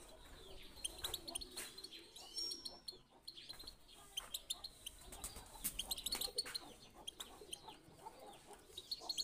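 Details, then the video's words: Goldfinch singing, used as a training recording to get other birds singing: busy stream of sharp high twitters, short buzzy slurs and tinkling notes in irregular bursts, over a faint steady background hum. "پیت پیتک/صدای سایره چی چیو برای مستی"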